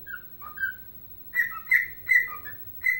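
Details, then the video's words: Indoor pet bird whistling its version of the hockey anthem Chelsea Dagger. Two short bursts of pure whistled notes alternate between high and slightly lower tones, separated by a brief gap, over faint background hum. "Singing and Dancing Ike Bird"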